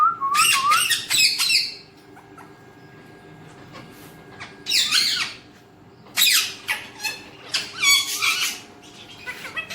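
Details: Alexandrine parakeet, a raw talking parrot with Urdu and Hindi speech, indoors in a small room: bursts of harsh, buzzy squawks with rising and falling sweeps, grouped at the start, middle and end with quiet gaps between.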